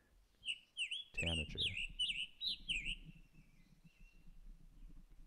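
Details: A Scarlet Tanager, a spring arrival, sings a quick string of hoarse, burry phrases, about two per second, rising and falling. The harsh quality sounds as if it had a sore throat. A man's voice briefly talks over the start.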